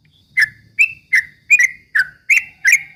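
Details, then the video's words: Yellow-vented bulbul (trucuk ropel) song used as bait to provoke rival birds: seven short chirpy notes, each dropping into a brief whistled tail, spaced about every 0.4 seconds on a quiet background. "kicau suara trucuk ropel memancing emosi lawan"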